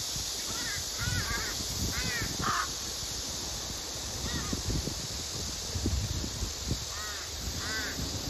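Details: A hungry female crow begs the male for his hidden food while other crows crowd in. Clusters of quick, harsh caws come in bursts of two or three, mixed with scuffling, rustling and knocking sounds.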